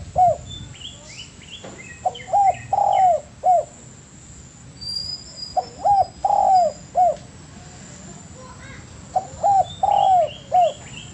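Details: Spotted dove master recording for training birds: three matching cooing phrases, each of two quick coos, one long slurred coo and a short ending, spaced about three seconds apart, with soft high chirps from other birds.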